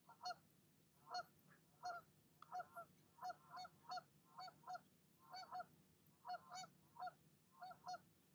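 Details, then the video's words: Nesting mother goose on a nest camera calling at another goose that visited her nest; about a dozen harsh, nasal honks, singly and in pairs, fairly faint, with low steady background hum. "Mama Goose does NOT like visitors, and she'll let you know it!"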